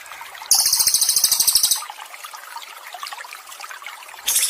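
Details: Songbird recording meant as therapy and training material for stressed cage birds: a rapid burst of high, sharp chirps lasting about a second, then steady trickling, bubbling water, with another high chirp burst at the end.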